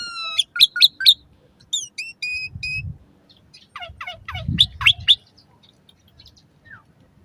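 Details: Asian pied starling song for training caged birds, morning or evening: bursts of stacked chattering notes and short whistles, separated by quieter gaps with low rumbling background noise.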